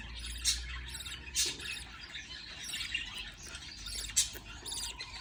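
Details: Budgerigar chicks receiving food from a parent make continuous chattering, raspy squeals with a few louder harsh bursts, set against a low electrical hum.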